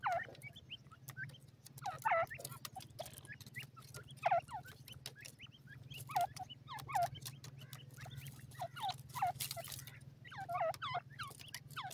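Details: Young francolins (Sindhi tetar chicks) in Pakistan give a continuous chorus of high, descending peeps, several birds calling over one another, mixed with frequent tapping clicks and a constant low hum.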